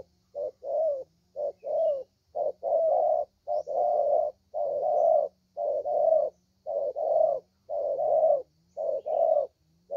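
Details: Young spotted dove kept as a lure bird, praised for its fine voice; low hollow coos in short-then-long pairs, repeated steadily for ten seconds, with a faint low hum underneath.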